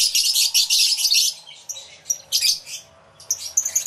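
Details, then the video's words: Many lovebirds in an aviary, recorded on a camera with two external microphones: dense, high-pitched squeaky chatter in bursts, loud for the first second and a half, then separate sharp chirps after short pauses. "Lovebird Sounds Aviary Series"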